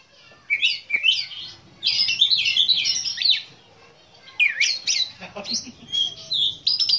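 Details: Black-breasted Oriental magpie-robin (kacer dada hitam), a kept songbird, giving bursts of rich warbled and chattering song separated by quiet gaps, with a faint low hum in the background.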